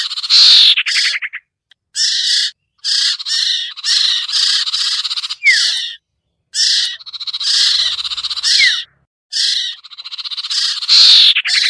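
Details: Common iora, called sirtu, in a pikat lure for shy birds: repeated coarse, buzzy rasps in clusters with short pauses, a fast rattle at the start and two downward whistles in the middle.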